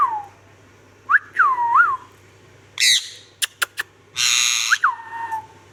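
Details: Ringneck parrot giving clear whistles that slide downward and loop upward, mixed with harsh broad squawks and a few sharp clicks.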